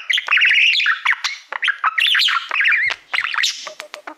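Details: Male pet budgerigar that loves mirrors warbles to a silver plaque: dense run of rising and falling whistled squeaks, buzzy chirps and clicks, loud and continuous, with a few dry ticks at the end.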